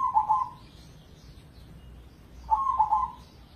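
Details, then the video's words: Zebra dove of the crossing type, a contest-winning perkutut from Indonesia, gives two mellow trilled coo phrases about 2.5 seconds apart, each with quick rippling notes, against faint low rumble. "Pancingan Pekutut Crossing Gacor Dorr"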